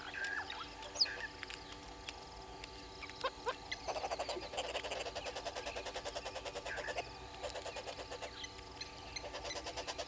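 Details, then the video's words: Red-billed hornbills below the camera at Gowrie dam, Djuma Game Reserve in South Africa's Sabi Sand Wildtuin, 06:32 on 03/07/2022: rapid rattling runs of clucks, several per second, in bursts with brief pauses, other birds faint behind. "Red-billed Hornbills below cam"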